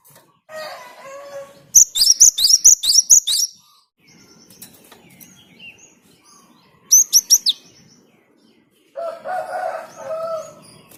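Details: Java sparrow singing to encourage other birds: a rapid string of piercing high chirps, a shorter four-note burst later, and lower, harsher calls at the start and end, with faint background rustling.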